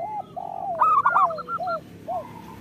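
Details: Local zebra dove giving a lure song to coax reluctant zebra doves into singing: a short burst of quick, bright staccato coos flanked by softer, lower drawn-out cooing notes.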